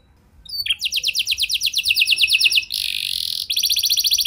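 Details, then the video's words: Canary gacor song for prompting other canaries: a rapid rolling trill of repeated slurred notes, a brief harsh buzzing burst, then the fast trill returns. "Kenari Gacor Lagu Mewah! Buat Kenari Mana Saja Bakalan Langsung Ikut Gacor Panjang"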